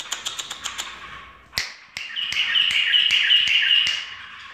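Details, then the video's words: Bulbul answering finger clicks with full song: a quick series of crisp snaps, then a sustained stream of bright, bubbling warbled notes with occasional clicks still cutting through. "بلبل فووول ويه طكت ألاصبع"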